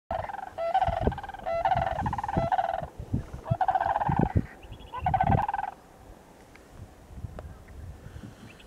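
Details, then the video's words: Sandhill crane calling at Montezuma, New York, on 29 November 2022: loud, rolling, rattled calls in bursts of about a second, repeated several times, then fading after about five seconds into steady background noise. "Sandhill crane Grus canadensis video, call out at Montezuma, New York on11/29/2022."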